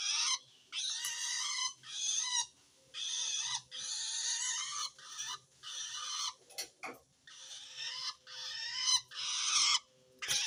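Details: Long-tailed shrike calling wild shrikes with a harsh call meaning it feels threatened by rival shrikes. Rapid series of rough, buzzing screeches about a second long, repeated with brief gaps, plus a few sharp clicks.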